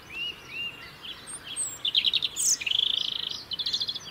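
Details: European robin singing in the UK, where it keeps a winter territory: high thin whistled phrases, a sweeping note, then fast trills and rapid ticking notes around four kilohertz, with soft background hiss.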